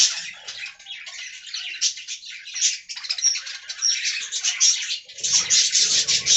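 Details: Budgerigars in an aviary colony with continuous high, scratchy warbling chatter, dense overlapping chirps and squeaks from several birds with no pauses, plus brief low rustling near the end.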